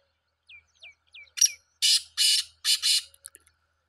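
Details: Black francolin calling: a few thin, falling squeaks, then loud, harsh, grating bursts, one single and then two close pairs, with clean silence around them.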